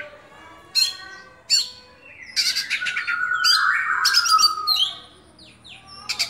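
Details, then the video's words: Captive oriental magpie-robin known as Kacer Dewa Air in open 'buka-bukaan' song: two sharp calls, then an extended rich warble of rasps and descending whistled slurs, fading to quiet. "Kacer Dewa Air Buka Buka an"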